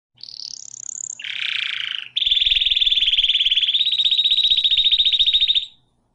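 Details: Canary song: a high sweeping whistled phrase, a brief lower buzzy note, then a long, fast, rattling trill held steady for over three seconds before stopping abruptly. Faint low clicks appear beneath the trill.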